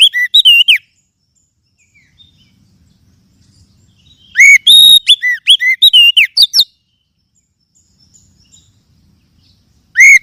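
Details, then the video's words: Oriental magpie-robin (kacer) song played as a lure for caged birds: bursts of loud, sweet whistled notes, slurred up and down, separated by several seconds of near silence, with a final burst at the end. "TERBUKTI AMPUH PEMULIH KACER MACET BUNYI JAMIN NYAUT DENGAR KICAUAN INI"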